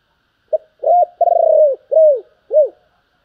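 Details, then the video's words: Spotted dove cooing in the thúc and gáy gọi styles: a short pip, a long pulsing burred note, then two smooth arched coos, clear and close, in a quiet setting. "tiếng cu gáy Thúc và gáy gọi"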